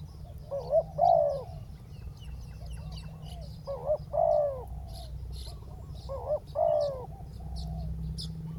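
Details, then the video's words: Spotted dove cooing during ground decoy trapping of a wild dove, three evenly spaced phrases, each a quick double note then a drawn-out falling coo, with faint chirps of other small birds and a low rumble behind. "เสียงนกเขาใหญ่ ต่อ นกเขาใหญ่ EP9 นกเขาใหญ่ต่อดิน"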